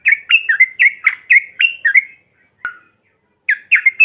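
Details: Yellow-vented bulbul lure call, a trucukan 'bahan' or 'ombyokan' recording used to provoke other birds: quick bubbly two-note phrases, rising then dropping, tumbling rapidly for two seconds, one lone note, then more chatter after a pause.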